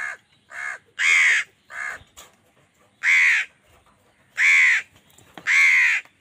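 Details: An angry crow competing with wild birds for food gives a steady run of raspy caws, louder long ones alternating with shorter, weaker calls, roughly seven in six seconds.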